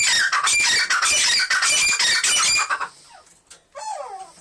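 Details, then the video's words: Captive black francolins of big and small breeds give harsh, grating squawks in rapid bursts for over two seconds, followed by a single clearer, falling whistled note. "black francolins (kala teeter)"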